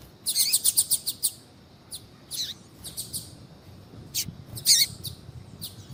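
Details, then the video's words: Calls of a female double-collared seedeater meant to warm up a male into singing, tui tui style; an opening rapid trill of high notes, then spaced single chirps and a loud descending note. "FÊMEA DE COLEIRO CHAMANDO PARA ESQUENTAR COLEIRO TUI TUI"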